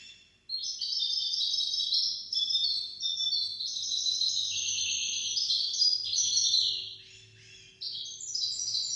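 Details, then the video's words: Hybrid goldfinch-canary singer, hafada and daniya style tutor song for goldfinches and canaries: dense, fast high-pitched twittering warble running nearly nonstop, with a brief lull before final bright phrases, faint steady hum beneath. "تغريد طائر الهجين الميسترو حفاضة ودانية لتعليم طيور الحسون والكناري بدون أخطاء"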